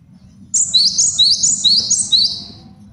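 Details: Male cinereous tit singing a master song used for training and trapping birds. About six clear, high, see-saw two-note whistles follow each other rapidly over a soft low hum.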